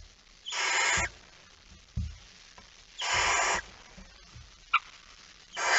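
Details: Barn owl at night, a male bringing a mouse on 17 September 2019: steady hissing screeches about half a second long, repeated every two to three seconds, with soft knocks and a short squeak between.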